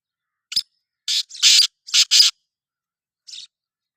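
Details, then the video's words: Black francolin in a grating call of five harsh, buzzing notes in quick succession, the middle ones longest. After a pause comes a single faint, short rasp. Nothing else is heard. "Kala Teetar ki awaz | Black Frankoline Voice | Kala Teetar voice | کالا تیتر کی آواز"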